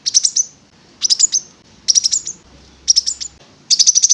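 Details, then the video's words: Konin (prinia) song used as a lure to get the bird singing: five evenly spaced bursts of fast, high, dry ticking notes, roughly one burst per second. "Konin Gacor buktikan Sendiri,,, Pancingan Konin Agar Bunyi"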